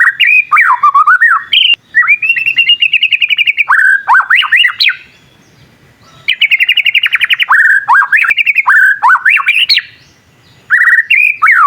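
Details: Young white-rumped shama learning its song while other shamas answer; bursts of fast repeated notes and wavering trills alternate with swooping whistles, separated by short pauses, phrases returning roughly every few seconds.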